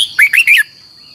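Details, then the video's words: Red-whiskered bulbul singing a decoy training phrase in the long twisted double-voice style: three loud, rapid, warbled whistled notes run together in just over half a second, followed by a thin steady high tone. "luyện giọng cho chào mào hót hay - Giọng kép xoắn dài"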